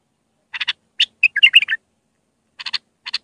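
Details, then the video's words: Raw Mandali-style Iraqi bulbul song for teaching young bulbuls, with paired sharp clicking notes around a brief tumbling warble in the middle. "تغريد بلبل عراقي خام مندلاوي راقي ساعة كاملة التعليم افراخ البلابل"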